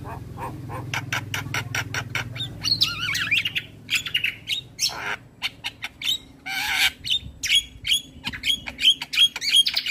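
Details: Male black-winged starling giving full song for training young birds: fast dry clicking notes, wavering rising whistles, harsh rasps, and a closing series of short sharp whistles repeated about twice a second, with a faint low hum.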